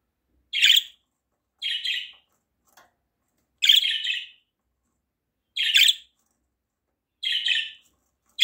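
A budgerigar gives short, harsh, chattering calls, repeated roughly every second or two.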